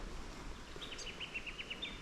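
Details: Grey fantail in Australian woodland west of the Divide, fluttering about, very active: soft, high mip notes, about eight in just over a second, over a low rumble of background noise.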